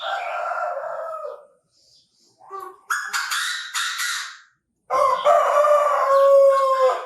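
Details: Chinese francolin giving its loud call, recorded in a bird-trapping context: strident, rich harmonic phrases opening and closing the recording, separated by a near-silent gap with brief small-bird chirps.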